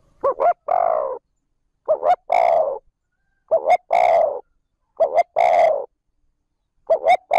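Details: Spotted dove cooing in the 'trơn ròng' style, used to stimulate and lure wild doves: each phrase is two quick, clipped notes and then a longer, lower, hoarse coo. Five phrases come about every one and a half seconds with silence between them.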